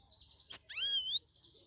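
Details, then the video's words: Straw-headed Bulbul (cucak rawis) held in captivity, singing vigorously in its second week after leaving a communal holding cage: a sharp click, then one rich, rising and swelling whistle that lasts about half a second. "CUCAK RAWIS DARI OMBYOKAN MINGGU KEDUA SUDAH GACOR"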